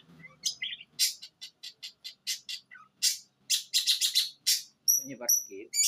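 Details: Long-tailed shrike from Jember, East Java, eight months old, singing imitations of sparrow, kuntilanak and tengkek buto in one breath: a rapid series of harsh, explosive broadband notes, then clear high whistles repeated twice near the end.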